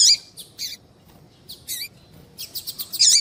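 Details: Female double-collared seedeater calling to lure and excite males. Scattered high chirps and paired buzzy notes are followed by a brisk string of short ticks. A loud chirp closes the sequence.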